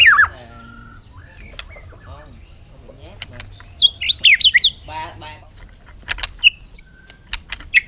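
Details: Bird giving a brief cluster of rapid, high, twittering chirps in the middle, with a few isolated chips later. A human voice is heard at the start.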